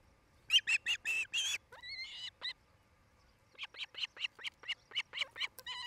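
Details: Nest-camera recording of an osprey couple at their nest in Charlo, Montana, 8 July 2018, late afternoon: bursts of loud, shrill, rising whistled chirps in quick series, a short pause, then another rapid string of piercing cheeps.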